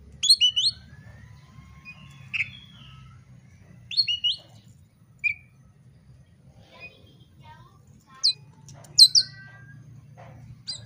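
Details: Oriental magpie-robin song for provoking a fight. Widely spaced phrases of quick high whistles and chirps, separated by short pauses, with soft low hum behind.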